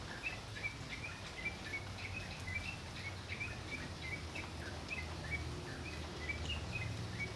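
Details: Tocok in full song for training other songbirds, giving rapid runs of brief high chirping notes in loose clusters, with a dense low hum and environmental noise underneath.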